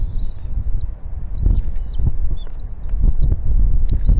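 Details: Bald eagles at a nest filmed by a nest camera as the mother brings food to her young: a string of thin, high, piping whistles, some rising and some falling, with rustling and flapping sounds underneath.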